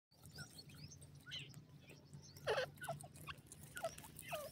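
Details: Grey francolin, known locally as teetar, calling naturally: a few sharp, steeply down-slurred notes scattered through the clip, the loudest near the middle, over a steady low hum.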